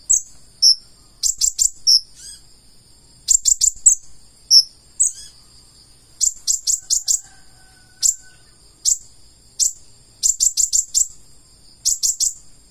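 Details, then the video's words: Purple-throated sunbird singing vigorously in the gacor full isian style, full of inserted phrases: very high, sharp chips in quick clusters of two to five, separated by short pauses, with thin whistled notes between them. "KONIN GACOR FULL ISIAN"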